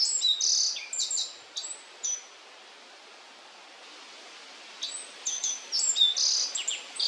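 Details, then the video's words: Black-faced bunting in Yashima wetland, Kirigamine highland, Nagano, Japan, one of two birds carrying lots of bugs. Two high, jingling song phrases of mixed whistled and buzzy notes. Roughly three seconds of near-silence separate the phrases. "Black-faced bunting carrying lots of bugs 🐛 霧ヶ峰八島湿原にいたアオジの鳴き声（地鳴きと囀り）"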